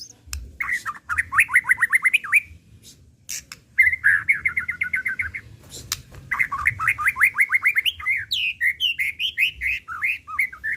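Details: Long song from a white-rumped shama: fast series of short whistled notes repeated in rapid trills, broken by clicks, then varied looping whistles near the end.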